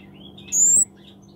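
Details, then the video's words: A single thin, very high, slightly upslurred note from a Scarlet-backed flowerpecker, known locally as kemade, singing actively, with faint twitters from other birds and a low steady hum behind it. "Burung cabe cabean(kemade) Gacor"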